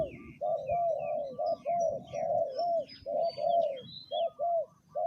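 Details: Spotted dove used as a ground decoy, third calling spot: deep mellow coos in a quick stuttering run, paired and triple phrases with short gaps, over a faint murmur of small birds chirping higher up.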